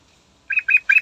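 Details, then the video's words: Yellow-vented bulbul singing in the morning as a lure for other birds; three slightly buzzy, gurgling notes follow in quick succession after a moment of quiet. "Trucukan Andalan Gacor Istimewa Pagi Hari Manjur Buat Pancingan"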